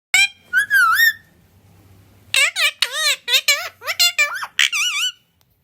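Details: Pet parrot, said to speak Hindi, English, Urdu, Kannada, Malayalam and Telugu, mimicking speech: a few high, wavering syllables, a pause with faint background hum, then a quick run of bright, chattering word-like bursts.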